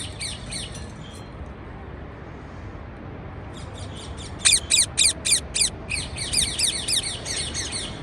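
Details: Parakeets chirping: a faint run of short, descending, harmonic chirps, then a brief lull, then a louder fast series of sharp chirps repeated several times a second over a steady background hiss.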